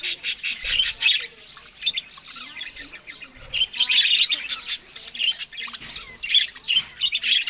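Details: Australian budgerigars eating greens in the morning; irregular bursts of scratchy chatter and sharp squeaky chirps from several birds, separated by short quieter gaps, with occasional low knocks.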